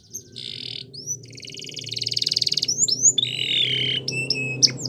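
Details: Belgian canary training song over a low background hum: short upward whistles, a dense buzzy trill growing louder, then a rolling warble and sharp high notes.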